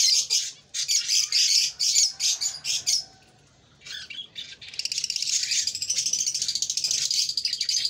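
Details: Young cockatiels giving scratchy, high chirping bursts, then a short pause before a long run of rapid, buzzy, pulsing calls that continues to the end.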